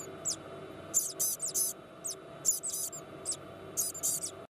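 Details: A White-bellied caique chick, hatched at 3 a.m. in a hand-rearing nursery, gives thin, very high "pi-pi" cheeps in short clusters about every second over a steady low hum.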